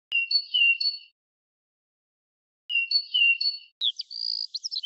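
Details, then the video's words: Red-whiskered bulbul singing: a short phrase of clear whistled notes with a sliding tone is given twice, about two seconds apart, then runs into quicker, higher chattering notes. No other sounds are heard. "Red Whiskered Bulbul Bird I बुलबुल पक्षी I Most beautiful voice of Bulbul bird"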